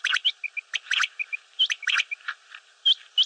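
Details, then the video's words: Common quail calling, a dense run of short overlapping chirps and sharp hooked whistled notes, with small clipped tonal pips between them, in bursts several times a second as if from more than one bird. "Batair ki Awaz , Batair Sound vol 13 , Common Quail Sound 2020, Mote Batair Ki Awaz, Quail sounds"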